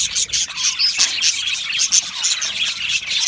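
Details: Aviary budgerigar colony chattering: rapid overlapping high chirps and short whistled squeaks from many birds, pulsing in quick bursts throughout.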